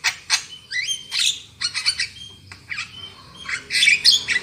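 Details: Black-winged myna song used as a lure to get birds singing loudly, a jumble of loud harsh squawks, rising whistled slurs and buzzy bursts delivered in quick irregular runs.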